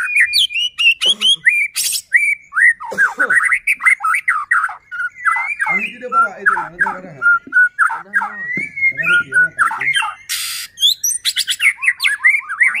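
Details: White-rumped shama (murai batu) in full, nonstop song, used as a lure to provoke other shamas into singing: rapid varied whistled phrases around the mid-high range, with slurred rising and falling notes, harsh buzzy bursts and sharp clicks, continuous throughout.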